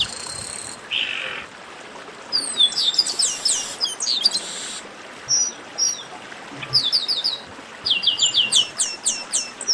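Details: Chestnut-capped blackbird song: bursts of high, sharp downward-slurred notes and buzzy tones, with quick repeated chirp series near the end, over steady soft background hiss.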